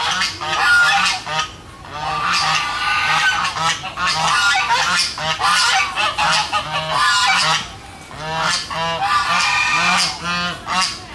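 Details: Domestic geese honking loudly and continuously, several birds overlapping in harsh, nasal, repeated blasts, with duck calls mixed in; a noisy flock recorded on 13 August 2016.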